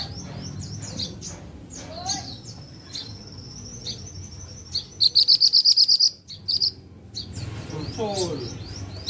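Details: Pied bushchat singing actively: a rapid burst of about ten bright, high, clipped notes in quick even succession, followed by a few shorter chirps, with a thin sustained whistle and scattered softer twitters behind.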